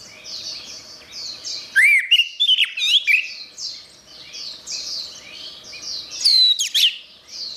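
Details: Orange-headed thrush delivering varied, swooping whistled phrases with clicks in two bouts, around 2 and 6.5 seconds. The song serves as therapy for birds that have stopped singing. Repetitive high chirps from other birds continue behind.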